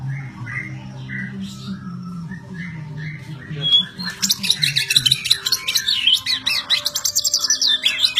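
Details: ['White-rumped shama from the songbird hobby scene: soft spaced whistles at first, then a loud burst of rapid, dense, high chattering and buzzy notes that continue to the end over a faint low hum.']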